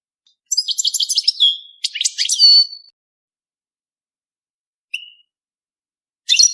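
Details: European goldfinch singing for mating: a loud bright twittering burst of rapid liquid notes and buzzy trills for about two seconds, a brief high note after a pause, then another short twitter; otherwise silent.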